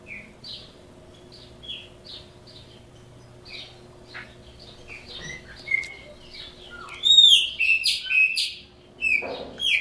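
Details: Chopi blackbird, caged, Brazil, singing criôlo: spaced short whistled notes about every half second, a long level whistle, then a loud cluster of complex, ringing, rapidly changing phrases.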